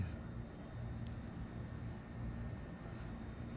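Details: A low, even mechanical rumble with a faint thin steady tone and one brief click is heard, with no animal sounds.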